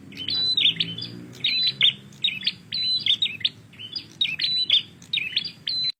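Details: Energetic prinia calling: loud, piercing chirp-and-whistle phrases given in quick succession, about one per second, with quieter low background noise between them.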